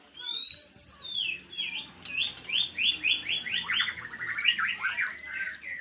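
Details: White-rumped shama of the Aceh type, called a fighter, singing a high descending whistle followed by a fast run of repeated sweeping, slurred notes over steady background noise.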